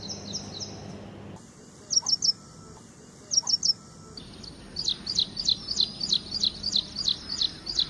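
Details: Ashy prinia song in spliced passages: soft repeated high notes, two short bursts of three bright chirps, then a long regular series of loud, sharp, high notes about three per second over a faint hum.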